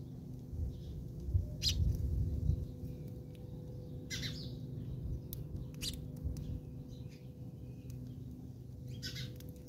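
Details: House sparrows fighting in South Africa, giving short harsh chirps scattered irregularly through the clip, some in quick bursts, over a steady low hum and rumbling background noise.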